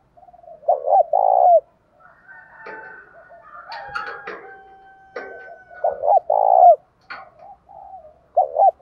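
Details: Spotted dove calling to provoke a fight, male and female birds featured: stuttered low hoots and long falling coos open and close, with sharp clicks, rustling and a thin steady whistle between phrases.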